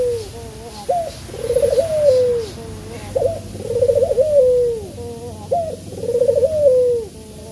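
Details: Male spotted dove calling, a call used to lure other birds to sing: three repeated phrases, each a short upward note followed by a longer trembling coo that sinks in pitch, about every two and a half seconds.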